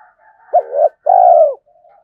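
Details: Decoy spotted dove calling to lure wild doves in: two low, rounded coos, the first short and the second longer and drawn out, with faint softer cooing before and after.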